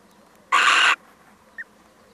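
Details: Harsh, rasping half-second screech from a visiting male little owl, followed a moment later by one short, soft high note.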